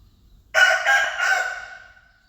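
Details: Rooster crowing: after a brief quiet moment, one loud, harsh, rich crow begins abruptly, swells twice over about a second and a half, then trails off into a thinner drawn-out tone.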